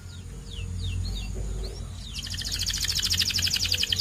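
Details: White canary song starting faintly with scattered downward slurs over low background rumble, then breaking into a loud, very rapid buzzing trill that continues to the end.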